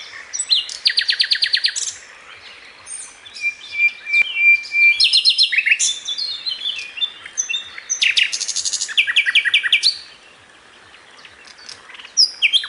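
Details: High-pitched song of a sikatan londo flycatcher for master training, 'tembakan' style: bursts of rapid, evenly spaced clipped notes alternating with thin whistles, a sustained high note, dense chattering runs and short pauses, with no other sounds.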